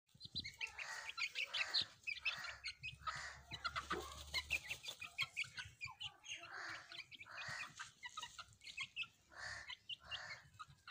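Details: Pet chicks and hens playing together: a busy mix of soft clucks, harsh squawky notes and high peeping, with frequent wing flaps and rustling throughout.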